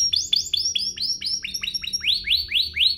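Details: Canary song used to trigger singing in other canaries: a series of repeated upward-sweeping chirps, about four per second, evenly paced with a faint low hum underneath.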